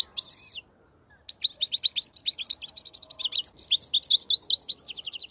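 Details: European goldfinch song to teach young goldfinches: a short slurred note, a brief pause, then a long, fast, bubbling twitter of bright high chirps and trills.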